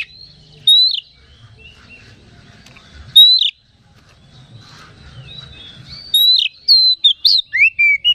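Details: Oriental magpie-robin singing as a lure to rouse other magpie-robins: loud, clear whistled notes and sharp downslurred chirps, sparse at first, then a quick burst of repeated bright phrases near the end, faint low rumble underneath.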